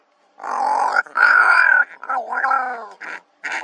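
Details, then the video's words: Pair of ravens at Kgalagadi Transfrontier Park in October 2021 making drawn-out, grating croaks that run almost together, a long rasping call followed by shorter gruff notes. "TWO RAVES MAKING NOISE"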